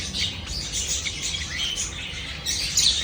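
Java sparrows give a dense run of high, bell-like chirps and soft twittering notes, several birds calling together with a faint hum underneath.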